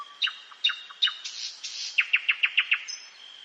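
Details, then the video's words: Common nightingale singing in a forest at night, three emphatic separated strokes, a brief rasping buzz, then six crisp notes repeated in rapid even rhythm and a closing high whistle. "СОЛОВЕЙ. НОЧНОЕ ПЕНИЕ СОЛОВЬЯ В ЛЕСУ."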